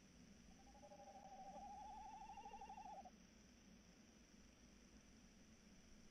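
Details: Recorded at night on 3 March 2018 around 21:14, a tawny owl gives one extended quivering hoot of about two and a half seconds, steady in pitch, then three seconds of quiet background hum.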